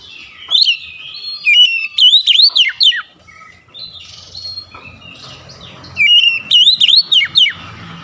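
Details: Oriental magpie-robin (kacer) singing loud whistled phrases of rising and falling slurred notes, a burst near the start, another around two seconds, a third after a quiet gap, with faint softer warbling between.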